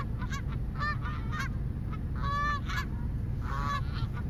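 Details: Geese calling together: short nasal honks come in quick runs, then a longer, louder honk and a final group of overlapping honks. A steady low rumble runs underneath throughout.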